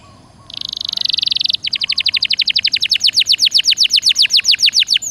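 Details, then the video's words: Canary (Serinus canaria) singing in the lively Indonesian 'gacor dor nembak' style used to prompt other canaries to sing: a dense buzzy high trill, then a fast train of sharp, sweeping, repeated notes about four per second. "Suara Burung Kenari Gacor Dor Nembak Untuk Pancingan"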